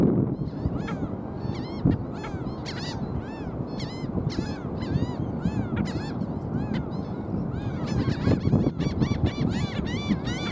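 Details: A busy group of black skimmers yapping continuously, many short arched nasal barks overlapping from several birds, set against constant low-pitched rumbling noise throughout.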